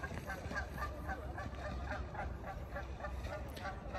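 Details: Canada geese at Deer Lake, Burnaby, British Columbia, honk in a rapid, excited run of nasal, mid-pitched honks, several per second, possibly two males fighting or mating, over steady low wind rumble.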